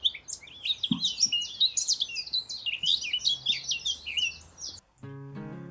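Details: A male Eurasian blackcap sings a rapid, varied warble of high fluty and slightly scratchy notes for about five seconds; the song starts quiet and scratchy, then grows louder and more fluting. A brief guitar-like twang follows.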